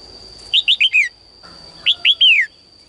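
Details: Caged female bird singing at morning, calling males to sing more: two phrases of three or four clear, downward-slurred whistles, the last note longer and drawn out, over a steady high hum.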